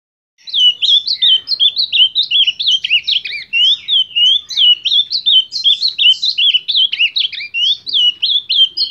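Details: Ultramarine grosbeak singing a fast, continuous warble of slurred, rising-and-falling whistled notes, about eighty-five phrases a minute, high-pitched and bright, with a quiet background.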